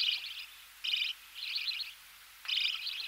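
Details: Budgerigar chicks in the nest calling as they are fed, close up: four harsh, buzzy high bursts over three seconds, separated by short pauses.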